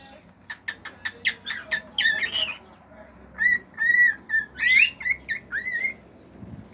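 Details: Male cockatiel at home singing a medley of natural calls and imitations: a volley of quick clicks, a squeaky chatter, then a string of short bright whistles and rising slurs.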